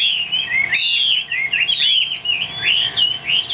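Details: Captive Chinese hwamei in full song: continuous loud, richly warbled whistles that rise and fall quickly, with barely any pauses.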